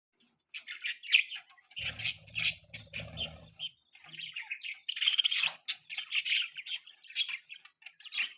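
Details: Baby budgerigar perched on a person's hand, giving bursts of high, scratchy chirps in quick clusters with short pauses, plus a low rumble of handling noise partway through.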